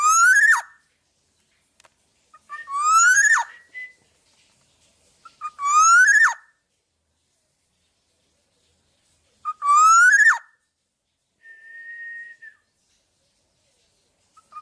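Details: Black-naped oriole singing energetically, used as training song for other birds: four loud rising whistled phrases with a harsh, nasal edge, spaced about three seconds apart, then one soft level fluty note near the end.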